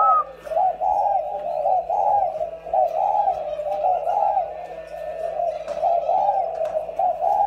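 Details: Two caged decoy spotted doves coo almost without pause, each phrase a soft, bubbling, low hoot roughly once a second, over a faint steady hum.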